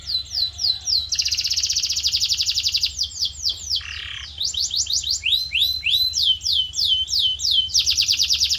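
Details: Canary song for training a canary's voice: falling whistled sweeps, a long fast buzzy trill, a brief lower burst, then rising and falling sweeps and another rapid trill.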